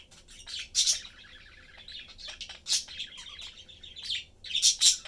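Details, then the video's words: Budgerigar parents and their youngster chatting indoors while eating; chattering twitter with loud high chirps at the start and end of the stretch. "Sunday cute Budgie/Parakeet family lives, chatting, having fun and eating."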